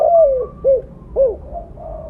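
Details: Vocally active spotted dove with mottled plumage, used as a lure call. A long falling coo, two short arched hoots, then soft, level trailing coos.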